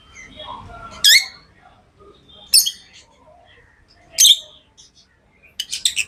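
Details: Tame pet lovebirds chirping: three sharp, shrill, high chirps spaced about one and a half seconds apart, then a quick cluster of thin squeaks at the end, over quiet room background.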